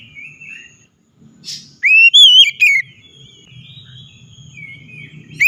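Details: Oriental magpie-robin lure song for a bird reluctant to sing: a soft wavering whistle, a brief hiss, then one loud rising-and-falling whistled phrase over a low hum, ending with another whistle onset.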